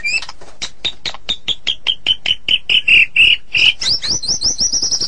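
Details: Morning song of a White-rumped shama: a rhythmic series of short repeated notes growing louder and slightly lower, about four a second, ending in a run of high squeaky notes.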